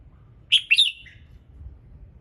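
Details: A red-whiskered bulbul sings in the morning to trigger other birds: one brief bright phrase of two sharp chirps running into a rolling warble and a lower trailing note, above a low hum.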